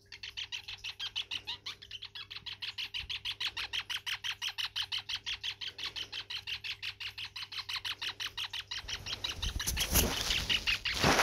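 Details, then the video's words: Dancing pet male parrotlet singing indoors: a fast, steady stream of short chirpy pulses, roughly three per second, ending in a burst of rustling noise like flapping or handling; low hum throughout. "Zorro the Parrotlet doing his dance and sing song!"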